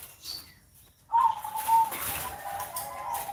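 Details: Perkutut, a caged zebra dove, cooing on a Sunday morning: after a quiet start, a steady mid-pitched coo begins abruptly and runs on with small dips and swells, over light background hiss.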